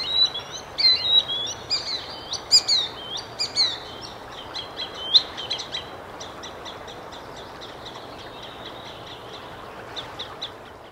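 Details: A green sandpiper in a calm ocean bay beside a forest on the Swedish east coast, northern Sweden, in late May 2022, gives sharp, high whistled notes, quickly repeated in a rippling series.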